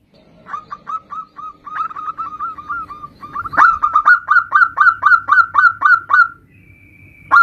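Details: Local zebra dove in full song repeats quick staccato coo notes that grow louder and more ringing halfway through. A sustained higher tone and one sharp final note close the sequence.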